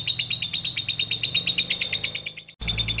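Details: Continuous rapid ngekek chatter from a lovebird, sharp high notes pulsing quickly and evenly, briefly cut off near the end before resuming, with low hum in the background.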